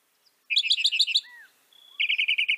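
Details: Northern mockingbird, found across North America, delivering a fast series of bright repeated chips, a brief soft slurred note, then a second steady run of repeated chirps.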